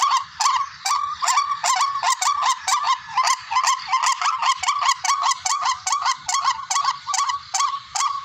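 Barred rails give loud, harsh, nasal calls, repeated about two or three times a second in a dense, overlapping chorus with no other sounds.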